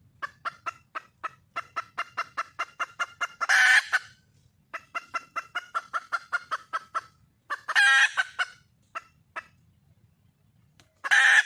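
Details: Wild red junglefowl hen calling to find a mate: quick series of clucks that speed up and end in a loud, rough, screeching cackle, repeated three times with brief silences between.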